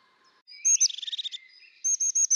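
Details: Call of a crested tit: a short high note series followed by a rapid stuttering purr of about a dozen pulses, then a fresh run of four high, sharp notes.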